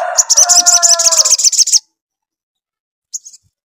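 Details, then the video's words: Vigorously singing little spiderhunter (sogon), played to stimulate other sogon to reply quickly: a rapid run of high, clipped chirps over lower, steady whistled tones, which stops abruptly. A short chirp follows after silence. "SOGON GACOR RANGSANGAN AGAR SOGON CEPAT NYAUT"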